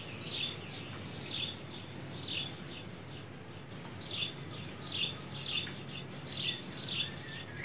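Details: Brisk morning chirping of short downward notes repeated at an even pace, a faint longer whistle near the end, over constant high insect noise.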